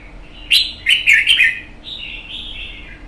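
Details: Caged wild-caught red-whiskered bulbul, one month in captivity: a loud burst of four bright, warbled notes, followed by a softer, flowing, slightly descending phrase; quiet room.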